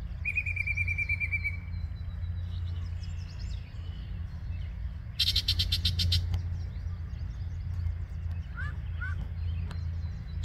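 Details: Yellow-breasted chat singing at Osborn Metropark, Huron, Ohio, on the morning of May 23, 2023: a steady whistled note, then a loud harsh rattling burst and a couple of short rising notes, over a constant low rumble.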